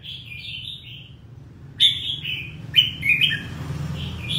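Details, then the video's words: Red-whiskered bulbul, 'ché' style, described as fired up. A gliding whistled phrase opens the sequence, followed after a pause by two bursts of crisp chirping warbles, all over a steady low drone. "chào mào hót hay, chào mào ché, chào mào căng lửa"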